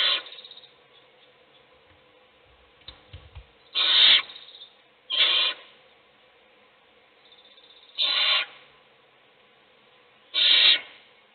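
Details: Adult owl feeding a single chick in a nest box as the other chicks sleep; a series of rasping screech-hisses, several short ones spread over about eleven seconds, with brief shuffling sounds.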